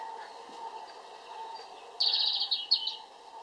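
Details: European robin breaking into a sudden bright, rapid warbled phrase after a quiet stretch, two quick bursts lasting about a second in all, against a faint continuous hum.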